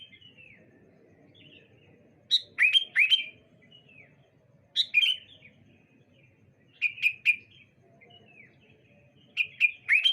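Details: Sooty-headed bulbuls trading phrases on a bright morning: four bouts of short, rich, warbled whistles spaced a few seconds apart, each of two to four quick notes, with soft chirps between them and a low background rumble.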